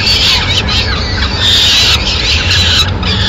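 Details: Peregrine falcons in Madrid on 29 April 2016 while the mother delivers food to her chicks: intense shrill squealing with quick downward-sweeping notes, steady and crowded, over a faint low hum.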